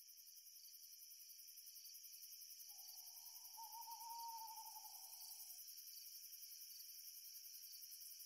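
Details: Owl at night under a rising full moon: one long, smooth, steady hoot of about three seconds, swelling slightly in the middle and then fading, over a constant high shimmer of singing crickets.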